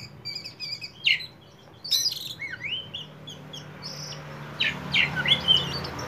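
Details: Kacer poci oriental magpie-robin, 'gacor konslet' song used as a lure: varied chirps, buzzy notes and slurred whistles scattered through, some loud sharp notes, with a background hiss.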